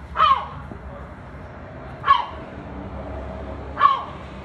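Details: A seagull that barks like a dog, imitating a dog's bark: three clipped, husky bark notes roughly one and a half to two seconds apart over quiet background.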